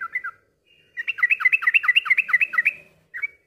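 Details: Yellow-vented bulbul song used to stimulate other birds to sing: short bubbly two-note phrases, then a fast run of about fifteen rapid slurred chirping notes, ending with brief chirps.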